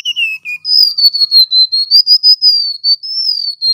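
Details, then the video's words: Male golden-bellied gerygone singing a thin, high, sweet whistled phrase of slurred notes sliding up and down, quick and continuous, with no other sounds. "Suara asli burung REMETUK LAUT GACOR"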